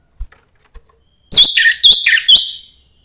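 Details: Orange-headed thrush, young and from the forest, sings to encourage other thrushes. A few soft taps precede a loud phrase of high, bright whistles and warbled notes in three quick bursts over about a second.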